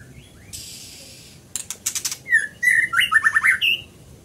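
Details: Scarlet minivet singing: after a soft hiss and a burst of sharp clicks, clear whistled notes slide upward, then a quick run of five or six descending slurred whistles ends in a higher upturned note.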